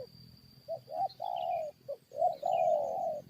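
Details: Spotted dove in a decoy fight with wild forest birds: brief soft notes build into two long, loud, drawn-out coos, with faint high chirps and a low rumble behind.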